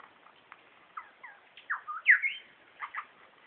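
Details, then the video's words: Male superb lyrebird in bushes giving a mimicked medley of calls, including whistlers, magpies and kookaburra; clear slurred whistles, a loud rising-then-falling phrase mid-way and a pair of short notes near the end. "Superb Lyrebird call"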